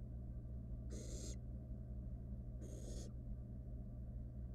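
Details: Wild barn owl nestling in a monitored nest box, filmed around a feeding when it swallowed a rat whole; two harsh, breathy hissing bursts about half a second long, spaced nearly two seconds apart, over a steady low hum.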